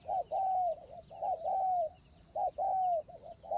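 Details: Close decoy spotted dove cooing loudly, a short note leading into a long drawn, gently falling coo and a quick wavering tail, the phrase repeated three times.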